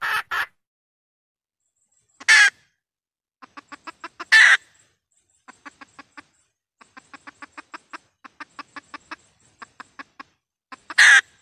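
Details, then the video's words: Decoy red junglefowl hen, recorded to lure wild junglefowl into traps with loudspeakers. Loud harsh squawks at the start, near two and four seconds and at the end, with runs of soft, quick, even clucks between them. "tiếng gà mái mồi kêu"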